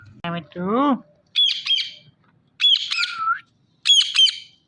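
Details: Talking Indian ringneck parrot saying "Mithu Mithu": a short speech-like phrase with a rising tone, followed by three loud harsh high squawk bursts about a second apart.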